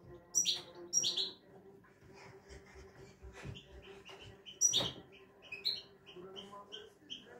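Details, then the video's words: Owned European goldfinch with a clean 'şak şaklı' song: loud, sharp chirps open the passage, then a scattered series of short, high tinkling notes, with quiet room noise and occasional knocks behind. "İyi ötümlü saka kuşu"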